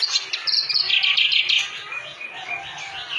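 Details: Clamorous reed warbler, called kerak basi locally, singing in full gacor form: a busy stream of harsh, chattering notes mostly high-pitched, with scratchy trills and short whistled phrases run together without pause.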